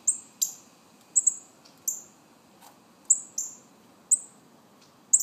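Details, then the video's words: Young northern cardinals calling for food, very high thin downslurred chips given singly or in quick pairs roughly every second, over a quiet, low-level background. "Baby cardinals"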